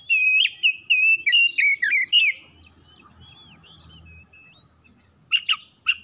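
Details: Oriental magpie-robin kept at home, sung as a lure to spur singing: a rapid string of loud, ringing whistled notes, then a softer, drawn-out warble over a low background hum, ending with a few sharp chirps.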